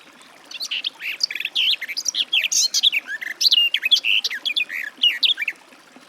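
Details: Continuous garden warbler song lasting around five seconds, a lively, rambling stream of clear whistled and chattering notes at varying pitch, with brief gaps between quick phrases.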